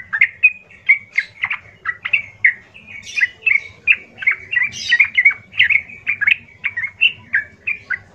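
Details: Yellow-vented bulbul giving a loud, harsh, emotional song used to provoke other bulbuls into answering: rapid bubbly chirped notes repeated several times a second, steady and unbroken throughout, with a faint low hum underneath.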